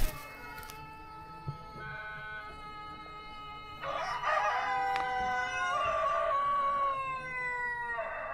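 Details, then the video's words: Brahma rooster giving a full crow, loud and raspy, rising and then stepping down through several drawn-out falling phrases over about four seconds, with fainter calling before it. "brahma horozu ötüşü brahma rooster"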